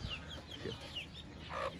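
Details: A hen clucks low and soft while her newly hatched chicks, climbing onto and under her, give thin, high peeps in quick bursts, with a brief louder call near the end.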